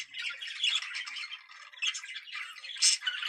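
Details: Budgerigar mating call played to prompt breeding: soft scratchy warbling with rapid chirps, a quieter dip midway, then a sharp squeak near the end.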